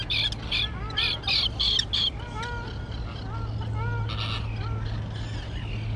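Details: Young terns, recently fledged and newly flying, in a colony on a small island overgrown with dense grass: harsh, rasping high calls in rapid bursts, then lower down-slurred calls, over a steady low hum.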